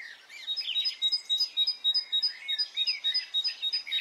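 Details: Birds singing on a spring morning in Brittany: a high two-note phrase repeated about three times a second runs through the whole stretch, with warbling and twittering from other birds underneath.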